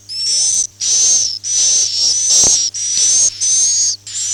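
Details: Swiftlet call in the 'Akau ngaji' style: a run of long, buzzy high chirps, each with a smooth whistled tone inside, following one another at an even pace with brief pauses, plus one faint click midway.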